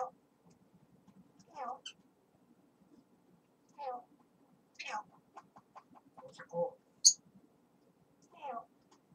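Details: Grey parrot chattering away, giving short speech-like vocal bursts every one to two seconds, some rising into sharp squeaky notes, with quiet pauses between phrases.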